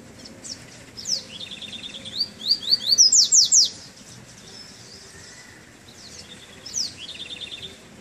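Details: A double-collared seedeater just out of moult, on its first outing on a chilly day, sings a bright, high twittering phrase of rapid repeated notes and sharp up-slurred whistles, building louder, then a shorter phrase after a pause.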